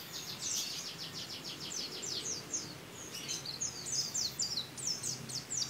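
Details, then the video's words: Caged champion white-eye imitating a canary: a fast, rolling trill of bright high notes, a short pause, then a jumble of varied chips, slurs and twitters at a quick pace. "Pleci isian kenari Pleci rasa kenari"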